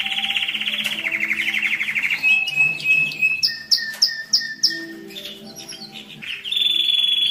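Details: Canary singing to rouse males and ready females for mating: a fast lower rolling trill, bright whistles, a row of sharp repeated chirps, then a high sustained note.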